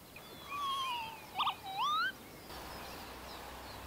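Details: Northern Lapwing in spring on Higham Marshes, wet pasture and salt marsh along the Thames where it breeds, gives wheezy slurred calls: a drawn-out note, a brief burst, then a rising 'pee-wit', against faint open-marsh background.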